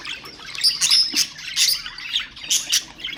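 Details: Budgerigars kept as ornamental birds, calling to stimulate other birds: busy warbling with sharp high squeaks, thin whistles and rasping chirps in quick irregular bursts.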